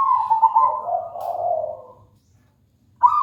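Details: Zebra dove of local wild stock in full song, giving one long, melodious cooing phrase of warbling notes that drops in pitch and fades out, followed by silence and the sharp start of another phrase.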